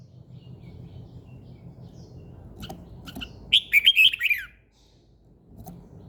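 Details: Bird singing in the morning: one short burst of about six quick, high, chirpy warbled notes lasting about a second, with faint clicks and low background rumble around it.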